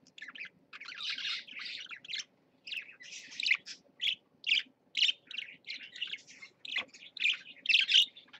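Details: Caged parakeets chattering: rapid, buzzy warbled notes in clustered bursts, with a few sharper squeaks and brief gaps, over a soft steady background hum.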